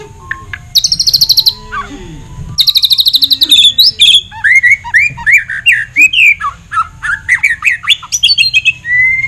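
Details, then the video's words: Caged White-rumped shama of the Jabrik type singing at the Piala Ronggolawe Cup 1 bird song contest, Gelanggang Pemuda, Mataram, Lombok, Indonesia. Loud bursts of rapid high rattling notes, then varied rising and falling whistled phrases in quick succession over a low background hum. "Suara Burung : Murai Batu Jabrik"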